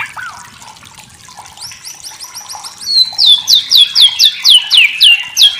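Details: Masteran song of a White-rumped shama (murai batu): soft high twittering, then a loud series of sharp, high, upward-flicked whistled notes repeated about three times a second.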